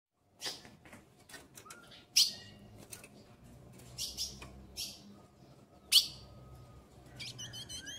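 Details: Captive female ultramarine grosbeak soliciting mating, ready to mate. Short, sharp, broadband chips spaced irregularly, with a few thin, level whistled notes between them. Faint low hum in the background.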